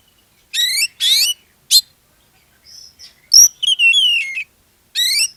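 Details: Oriental magpie-robin lure song meant to get other magpie-robins singing: rasping buzzy bursts, a faint whistle, then a sharp click followed by a long wavering whistled phrase and one more harsh burst.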